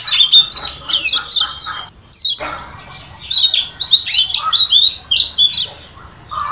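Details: A Lombok yellow white-eye sings a rapid, high, twittering song of short sweet notes and slurred chirps, broken by a brief pause, with faint background murmur; used as a lure to provoke rival birds.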